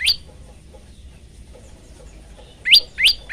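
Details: Male prinia singing, recorded as a lure for other prinias: sharp, high, upward-sweeping chirps, one at the start, then three quick ones about a third of a second apart. Little else is heard.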